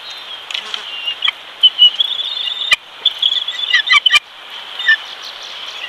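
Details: Bald eagle at a Big Bear, California nest during feeding of a lone chick after the male brings fish: scattered bursts of high, twittering chirps, sharp knocks, and a constant background hiss.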